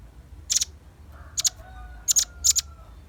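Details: Velvet-fronted nuthatch, lure bird: four short clusters of shrill, high chips, each cluster two or three notes, spaced roughly half a second apart over a quiet background.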